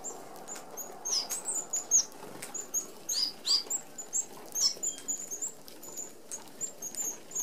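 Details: Flock of Red-browed Finches, native to Australia, feeding at a small-mesh open aviary feeder; thin, very high seee notes repeat steadily, mixed with fluttering wingbeats and occasional louder squeaky chirps.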